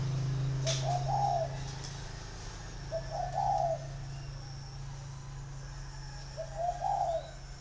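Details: Three evenly spaced cooing phrases, about every three seconds, from a large northern male spotted dove caged six years, red-eyed, singing giọng thổ style, over a steady low hum with occasional clicks.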